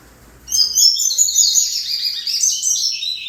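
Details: Double-collared seedeater singing: a continuous high, rapid twittering phrase of buzzy trills and chirps, starting about half a second in and running to the end without pause.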